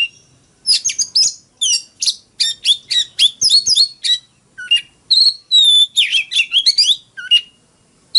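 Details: Fighting song of an Oriental magpie-robin, a fast stream of high chattering, whistled and buzzy phrases with brief gaps, one long level whistle near the middle.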